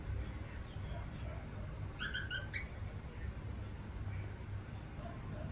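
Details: A pet female white silver-faced cockatiel gives a brief burst of short, harmonic chirps over a steady low room hum.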